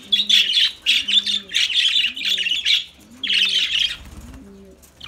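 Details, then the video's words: Lovebirds chatter in rapid, rasping squeaky phrases separated by short gaps, over a repeated low cooing in the background. "Lovebirds Sounds Lovebirds Singing"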